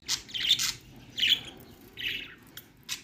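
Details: Budgerigars chirping: four short scratchy bursts of chatter in the upper register, each under half a second, spaced roughly every second with quiet gaps between.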